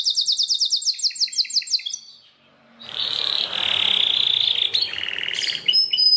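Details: Belgian canary singing: a fast series of bright, repeated high trills in the first two seconds, a brief pause, then a sustained buzzy high roll with a rising and falling tour near the end.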